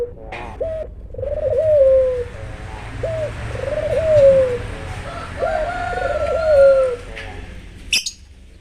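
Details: Low, mellow coos from an albino puter dove, a clipped rising note then a sustained falling hum, in regular cycles, with a faint higher bird note and a sharp click near the end.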